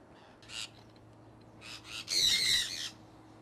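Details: A couple of soft squawks, then one long, loud, harsh screech from a pet conure flock on the wing in Iowa in early spring 2003, over a faint low hum.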